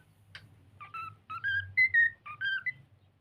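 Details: Pet cockatiel learning to sing while playing, giving a short run of clear whistled phrases: paired falling and rising notes, a louder bright peak midway, then two more quick whistles, over a low steady hum.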